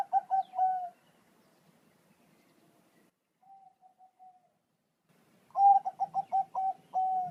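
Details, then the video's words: Song of a Bangkok zebra dove, played to make kept zebra doves reply: a pulsed, rolling coo phrase closing on a long note, a quiet faint phrase midway, then another loud bubbling series of rapid coos with a sustained ending. "Suara Perkutut Bangkok"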